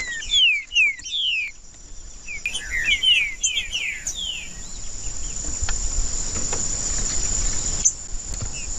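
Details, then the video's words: Male green-winged saltator singing to warm up and provoke other males: a run of clear, descending whistled slurs repeated quickly over about four seconds, then quieter, with a steady high insect-like hiss throughout. "Trinca-ferro Macheando com Trinca ferro cantando Para Esquentar Trinca ferro"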